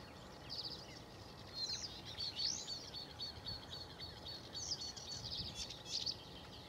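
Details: A Bluethroat, recorded on 7 May, gives quick, high chirps and sharp upward and downward sweeps in short scattered bursts, over a steady hiss of outdoor noise and a faint low hum.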